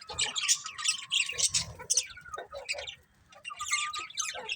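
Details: Many colourful budgies produce a rapid stream of sharp, squawky chirps over a thin steady whistle, briefly falling quiet before the chatter resumes.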